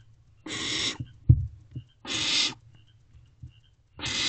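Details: Barn owl owlet in nest box C just after midnight on 21 May 2023, swallowing a large rodent: harsh, breathy hissing screeches of about half a second each, separated by soft thumps and shuffling.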